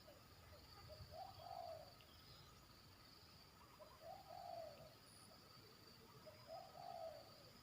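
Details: Trainee zebra dove in a yard, already delivering the "batuk" and "poin" sections of its song: three soft rolling coo phrases spaced about three seconds apart, with a faint electrical hum throughout.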